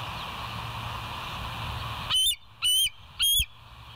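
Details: Bald eagles at a nest watched by a live nature cam, 26 September 2023 at 07:01; after two seconds of steady background hiss and hum, three loud, high, piping whistled notes follow about half a second apart.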